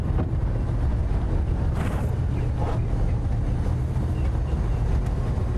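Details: Heavy low engine drone and wind buffeting, with a brief faint murmur of voices, no animal sounds.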